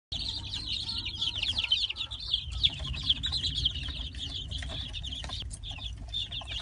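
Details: Light Brahma chicks settled into their coop, a dense chorus of high, rapid peeps overlapping continuously, with a low hum underneath.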